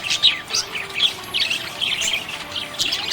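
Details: Happy budgerigar giving rapid chirps and buzzy warbles in uneven bursts, some notes sharp and clicky, others rolling and slurred, with barely a pause between them.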